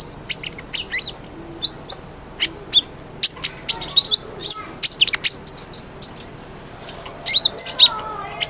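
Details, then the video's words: A cinereous tit, or konin, sings busily as training audio for silent birds: scattered high chirps build into dense clusters of piercing notes, then a thin sustained whistle and more twittering. "MASTERAN KONIN GACOR, SANGAT AMPUH BUAT PANCINGAN BUNYI KONIN YANG BISU"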